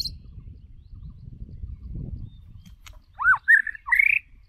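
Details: White-rumped shama lure bird: after a few seconds of low rumbling noise, three short whistled notes, the first arching, the last longer and slightly rising.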